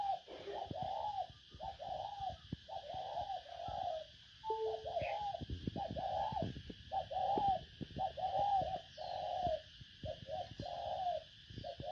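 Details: Spotted dove lure calling: a rapid run of short, low coos, many in quick pairs, over a steady hum, with scattered sharp clicks and knocks between the notes.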